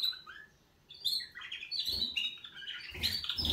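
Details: Wake-up song of canaries: after a short quiet gap, a fast jumble of high trilled and warbled notes, mixed with low rustling and pattering thuds.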